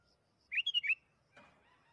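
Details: One short, liquid whistled phrase of four notes from a sooty-headed bulbul, followed by a soft rustling noise. The recording is a lure meant to get caged bulbuls singing.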